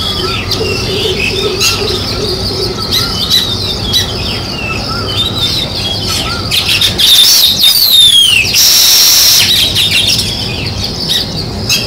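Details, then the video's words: Sparrows chatter in high repeated chirps with a few lower calls beneath; near the middle a series of fast falling whistled sweeps and a loud bright burst break in, then chirping resumes. "Sparrow Chirping Sounds | Natural Sparrow Sound"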